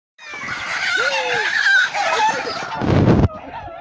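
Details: Hen defending her chicks against a hawk: loud, harsh, harmonic squawking calls with bending pitch, ending in a sudden broad scuffling burst of noise before quieter calls resume.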